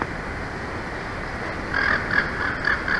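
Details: Wild bald eagle pair at their nest in Big Bear Valley, California, on a live nest camera, 2 April 2024 around midday; after a steady hiss, a quick series of short, high piping notes with faint overtones starts about halfway through.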